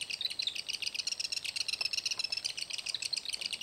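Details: Black-backed Woodpecker at its nest site, Spaulding Bay Road, Grand Teton National Park, 19 June 2012: a steady stream of high, thin, chattering chirps, about four a second, overlapping into a busy buzz with no pauses.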